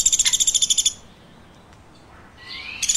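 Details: Woodpecker chirping: a quick, high, rattling train of about a dozen sharp notes lasting one second, then near silence with a faint rising whistle, and a fresh burst of the same fast chirps starting at the end.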